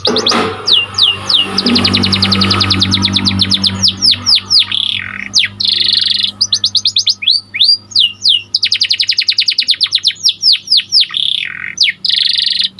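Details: Panda canary, a white caged bird, in full song for training master audio: long runs of fast repeated chirps, rolling trills and buzzy phrases, with a low hum underneath.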